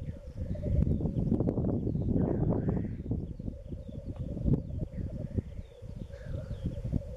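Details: East Wales black grouse lek on 31 March 2016: an even, continuous bubbling murmur dominating the second half, with gusty wind noise and scattered faint high bird calls.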